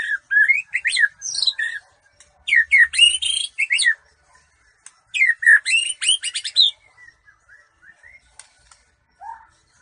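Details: White-rumped shama, a Bahorok murai, singing in a song competition: loud bursts of varied whistles, sweeps and rapid chattering notes, broken by short pauses, ending with softer scattered chirps and a low falling whistle.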